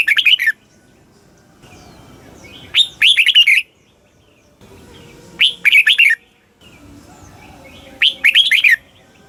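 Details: Thai caged red-whiskered bulbul repeating its southern master-style song, meant to excite listening birds: short bright phrases of rapid whistled notes recur about every two and a half seconds, with faint chirps between.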